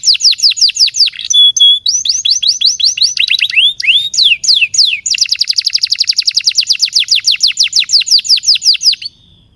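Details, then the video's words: Canary song offered as a tutor for young and stalled canaries: varied trills and a whistle, then a long, even series of rapid sweeping notes lasting about four seconds. "Kenari GACOR PANJANG INI Cocok untuk Pancingan, Masteran KENARI PAUD dan Kenari Macet"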